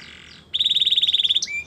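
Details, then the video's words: Canary singing for training other canaries: after soft hiss, a loud, even trill of about sixteen rapid pulses on one high pitch, ending in two brief sharp notes. "The most popular canary training | Play now, your canary will sing a lot"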